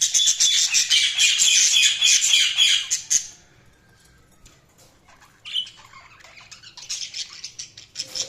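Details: Budgies give a loud, continuous grating squawk-chatter for about three seconds, then near quiet, then softer scattered chirps and scratchy calls returning.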